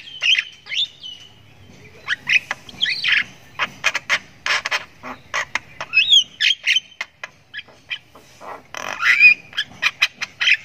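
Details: Jalak kebo chick, the Javan myna, giving long ngriwik chirping while learning to vocalize: many brief sharp squawks and rasping chirps in irregular clusters, with clear quiet gaps between.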